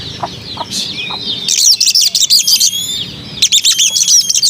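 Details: White-rumped shama, its song described as melodious, giving a dense run of rapid high buzzy trilled notes after a few soft chips, with a brief pause before another rapid burst.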